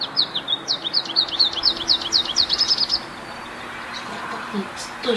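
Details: American Goldfinch in an apple tree under morning sun: a rapid stream of high, twittering, slurred notes for about three seconds, then quieter background with faint rustling and a brief low sound at the end.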